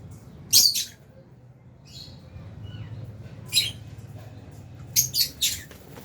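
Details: Lovebirds, including albino and Fisher's, in a caged aviary flock at meal time: a few sharp high squeaks spaced apart, ending with three quick shrill chirps in a row over low background hum.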